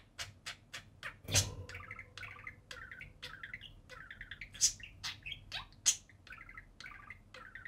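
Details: Budgerigar pair at play on the cage top indoors: bursts of buzzy warbled phrases broken by sharp clicks and a few loud chips, with one dull knock near the start.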